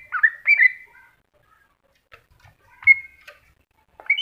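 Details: Greater green leafbird in a masteran recording, two bright whistled chirps at the start, a long quiet gap with faint ticks, then isolated sharp whistles.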